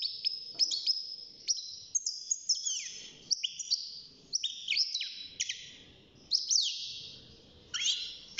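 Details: European goldfinch, a young caged bird at six months, early in its singing: continuous jangling twitter mixing high chips, short trills and falling buzzy slurs, with faint background murmur.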